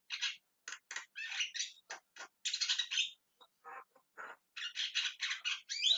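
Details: Javan myna calling, loud grating squawks and chattering runs with a few lower, softer notes midway, ending in dense rasping bursts and a short whistled note.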